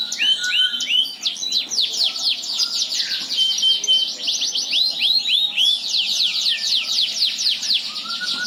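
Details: Long, loud, clear song from an F1 Yorkshire canary stud kept for breeding: fast chattering trills of sharp descending notes, brief steady whistles, and dense repeated phrases running without pause.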